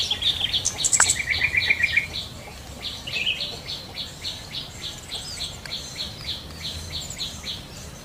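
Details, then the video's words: Wild yellow-vented bulbul giving short, rich warbled phrases, then a run of rapid repeated chirps. Many other birds call in the background of a busy natural chorus. "SUARA BURUNG TRUCUKAN DI ALAM LIAR"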